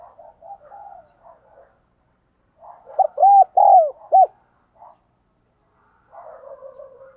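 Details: Spotted dove decoy, trained to coo quickly to lure wild doves, gives a loud burst of arched, hollow coo notes mid-recording, framed by softer, muffled cooing before and after in an otherwise quiet setting.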